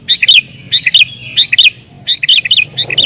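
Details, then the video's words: Agitated sooty-headed bulbul singing to challenge rivals and draw in wild birds: rapid lilting double-note phrases, repeated with a short break, then a faster run of phrases. "Burung Kutilang Gacor Isian Cocok Buat Pikat Burung Kutilang Liar"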